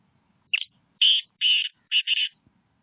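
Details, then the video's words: Black francolin calling, known locally as kala teetar: a short harsh opening note followed by three grating, buzzy, high-pitched notes, the last split in two, delivered in about two seconds against silence. "Kala teetar ki awaz.کالے تیتر کی آواز"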